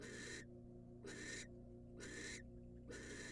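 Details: Wild female barn owl receiving a rat from her mate inside a nest box: four rough, noisy screeches, each roughly half a second, at a steady pace.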